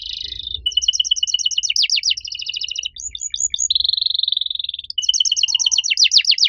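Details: Canary singing loudly in a distinctive style: a brief steady buzz, then rapid pulsed trills, a fast descending series, a long smooth high rolling trill, and finally quick downslurred notes. Faint low hum underneath.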